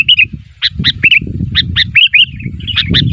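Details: Sooty-headed bulbul calling to draw answers from other bulbuls, giving lively, irregular bursts of short chirps and slurred bubbly notes with brief pauses, against a low rumbling background.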